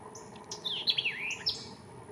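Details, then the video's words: A White-eyed vireo in McDonough, Georgia, in May 2023 gives a quick, emphatic burst of sharp, slurred chips and whistles, rising and falling high in pitch, over faint background hiss. "White Eyed Vireo"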